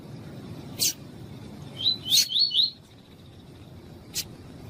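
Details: Male Double-collared seedeater of the tui-tui song style, a bird kept by breeders for song tournaments, with a female calling to warm him up; a short burst of four quick, high, buzzy notes between sharp chirps.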